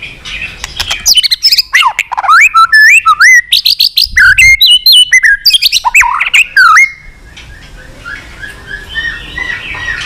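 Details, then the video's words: White-rumped shama in long song meant to spur fighting. Seven seconds of rich, fast whistles twist up and down in dense varied phrases, then fade into quiet background noise. "chòe lửa hót giọng dài kích lửa"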